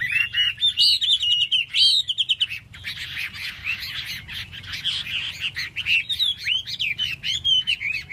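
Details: Chinese hwamei, wings spread, delivering a rich flowing song of rapid clear whistles and trills, a dense stuttering burst, then softer warbling and a final run of rising and falling whistled notes.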